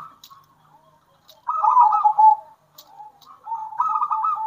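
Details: Local zebra dove, wild or captive-bred, singing bekur and kerot styles to rouse rival doves; faint soft notes at first, then two loud, fast-pulsed purring coo phrases dropping slightly at the end.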